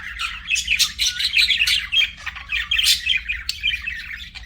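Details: Pet budgerigar twittering steadily, mixing buzzy squawks with high whistled chirps in quick succession, with a faint low hum behind.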